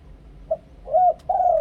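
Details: Spotted dove, a Thai lure bird of the two-kuk ku-ang singing style, uttering a tiny soft note followed by two full, hollow coos, the last long and gently falling, recorded close in quiet surroundings.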